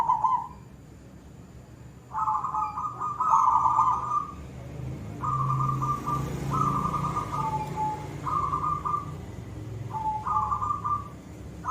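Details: Lively silver zebra dove song in the koong style: after a brief opening coo and pause, a run of short quavering coos on nearly one pitch, several with a lower tail note, over a soft low drone.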